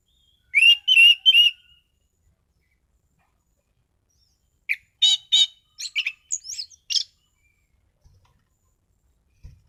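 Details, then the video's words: Orange-headed thrush in full song, giving a short run of three bright whistled notes, then a longer varied phrase of sharp chips and rising whistles. Quiet gaps between phrases. "Burung Anis Cendana Gacor mapan.!!!"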